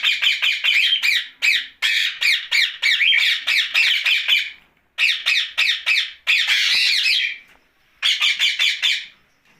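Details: Rose-ringed parakeet kept as a pet, talking at night; long runs of fast, rhythmic scratchy syllables in bursts of a few seconds, separated by short silences, one drawn-out squawk near the end.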